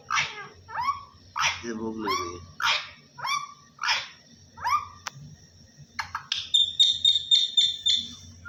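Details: Talking parrot repeating "Allah Hoo": a steady series of short, descending, nasal syllables about once every half second, followed by a high whistled trill of rapid pulses, with low room hum behind.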